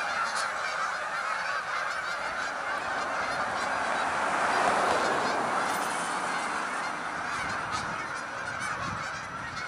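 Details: Canada geese, hundreds of them, rising into the sky; massed honking swells to a peak midway, then eases slightly, with countless overlapping nasal calls, about four per second, and a low rumble underneath.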